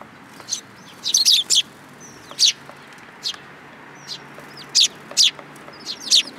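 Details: Sparrows at a Tenmangu shrine on 8 July 2022 coming for food; clusters of sharp chirps mixed with thin whistled slurs, spaced irregularly across the recording.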